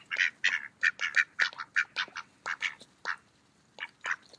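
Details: Mallards feeding at a park on an autumn day utter strong, clipped quacks in a steady run of about two per second, trailing off into a few spaced calls near the end.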